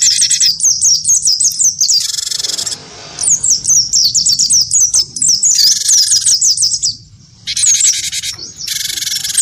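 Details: Wingko-type great tit goaded to fight a white-eye, pouring out quick high down-swept chirps in dense runs, with several loud harsh rasping bursts and one short pause.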